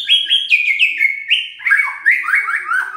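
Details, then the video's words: White-rumped shama song for stirring reluctant birds into singing: a continuous run of clear whistled notes sliding downward in steps, then lower slurred phrases repeated in quick succession. "PANCINGAN EMOSI MURAI BATU LOYO DAN MALES BUNYI"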